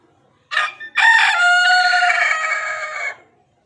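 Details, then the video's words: Desi rooster crowing up close: a short harsh opening note, a brief pause, then a loud drawn-out harmonic-rich crow holding steady for about two seconds before cutting off, over a quiet background. "Dasi Murga Natural sounds"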